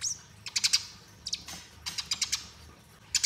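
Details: Eurasian tree sparrow fighting song for master training, here looser: short clusters of high, sharp chirps, two to six notes each, spread unevenly with quieter pauses between.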